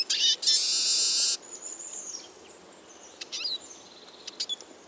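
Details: Eurasian siskin, a small semi-migratory finch, giving high thin notes: a loud dense buzzy burst of about one second, then a long drawn wheezy whistle sliding downward, followed by short scattered chirps and twitters; faint background hiss.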